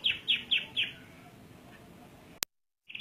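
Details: Canary song fragment: four bright, high downslurred notes in quick even succession, a quiet pause, an abrupt click and silence, then a short high buzzy start.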